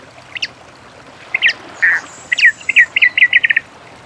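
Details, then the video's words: Many-colored rush tyrant in the wild delivering a phrase of scattered sharp notes, one burry note, then a rapid even run of clipped notes closing the song, over steady soft background noise. "AVE PAPA PIRI CANTANDO NA NATUREZA"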